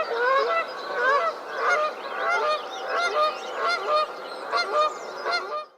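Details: Wild geese of North America giving loud, nasal, overlapping honks from several birds at once, repeated in pulsing bursts over a steady chorus of calls.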